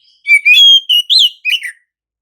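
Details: Lure song of an Oriental magpie-robin in gacor ngerol style, meant to make other magpie-robins respond: a rising whistle into a long level note, followed by three short warbled, buzzy phrases.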